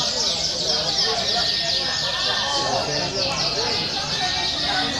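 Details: Fighting canary singing as a lure to test other canaries' mettle: a dense, unbroken stream of high, rapid trills and rolls with a sharp, combative edge, over a steady background hiss.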